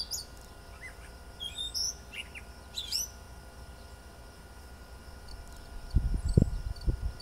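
A catbird gives a few quick, squeaky chirps and slurred notes over three seconds, followed by low thumping rumbles near the end.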